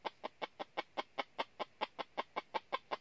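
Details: Decoy red junglefowl calling to draw wild junglefowl into a trap in the north: an even series of short, sharp clucks, roughly three per second, moderately loud against a soft hiss.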